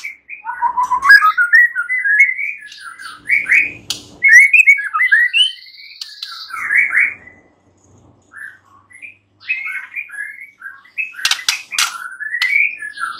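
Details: White-rumped shama in varied song, aimed at getting a mute shama to respond: rising and falling whistled phrases in loud bursts, a quiet gap, then softer whistles and sharp clicks.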